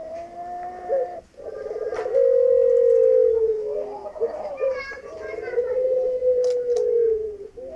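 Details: Male Barbary dove (Streptopelia risoria) gives a courtship coo to its female: low, long-drawn coos, steady in pitch with a slight rolling break between phrases, over a faint indoor hum.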